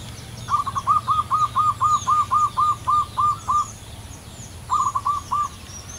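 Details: Wild local zebra dove singing vigorously in the long crystal style: a run of about twelve clipped, rounded cooing notes repeated roughly four per second, a pause, then three more, over soft high twitters of other birds and a low hum.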